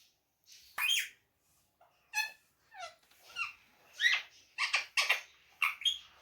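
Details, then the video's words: Pet ringneck parrot indoors speaking short words in Urdu/Hindi: a string of raspy, voice-like syllables with bright upper tones, about eight bursts in six seconds separated by brief silences. "the best speaking parrot"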